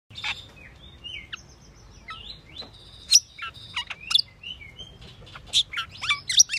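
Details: Asian glossy starling (Aplonis panayensis) gives an irregular run of high, squeaky whistles, metallic clicks and sharp chirps, some slurred downward, over a faint low rumble.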